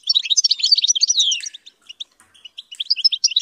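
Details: European goldfinch reared by keepers being taught high-pitched singing: a fast, liquid twittering phrase with a down-sliding whistle, then spaced, clipped high notes.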